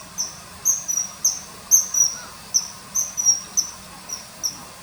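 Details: Common kingfisher filmed by a river in early September 2020 while hovering and taking small fish; inserted call of sharp, piercing high whistles, about two per second, some doubled, standing out clearly above faint hiss.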